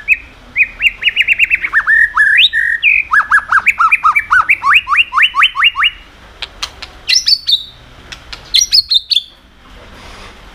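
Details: White-rumped shama song used to stir other birds into singing: rapid series of rich whistled notes jumping up and down, then sharp clicks and high squeaky phrases, loud and varied.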